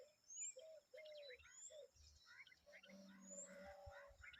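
Common babblers, adult and young, trade quick, high, chattering chirps in overlapping bursts. Softer low notes and a brief droning hum sit underneath.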